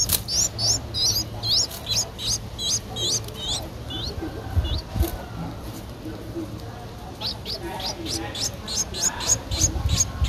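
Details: Streak-eared bulbul chick, 11 days old, Ubon Ratchathani, Thailand, 13 April 2023: rapid high downslurred squeaks in bursts, pausing midway before resuming, with low hum and scattered noise.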